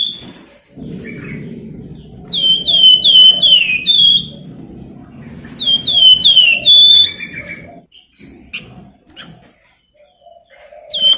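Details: Flamboyan bird song used as a lure to stimulate other birds: bursts of rapid, sharp downslurred whistled notes repeated in two runs several seconds apart, with scattered chirps and background room noise between.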